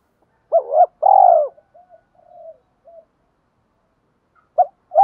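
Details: Spotted dove in a 'thổ' voice, played as a lure to stir other doves into cooing quickly: two soft, mellow low coos, a few quieter trailing notes, a pause, then the coo phrase starting again.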